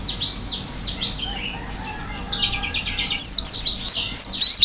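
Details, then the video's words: Oriental white-eye, gacor isian singing with open beak. A lively stream of high sweeping and zigzag notes, softer in the middle, then a louder, dense burst of tumbling whistles over the last second and a half. "pleci gacor isian buka paruh"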